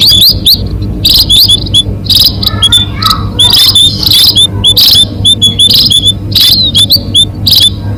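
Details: Lure recording of munias used to attract birds: rapid high piping chirps in dense overlapping volleys, some rising and falling, with rough scratchy bursts and a persistent low-pitched hum beneath.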